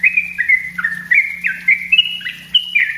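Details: Lure master of a yellow-vented bulbul: rippling sequence of clear whistles that step up and down in pitch with quick downward slurs, over a steady low background hum.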